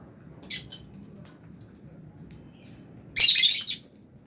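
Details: Fischer's lovebird in an aviary with albino lovebirds, feeding on food. A soft short chirp comes first, then after a pause a loud, scratchy burst of rapid high chirping, over a low hum.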